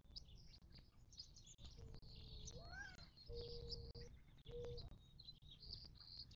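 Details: A desert watering hole in the western Mojave of southern California, near Joshua Tree National Park, 19 March 2024. Low, steady whistled notes and a rising, arching call stand out against constant high chirping from other birds.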